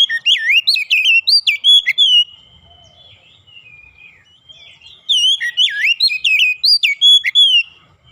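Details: Oriental magpie-robin (kacer) training song with calling tones: two dense bursts of varied looping whistles and sharp chips, each about two seconds long, separated by a quieter stretch with a faint steady whistle.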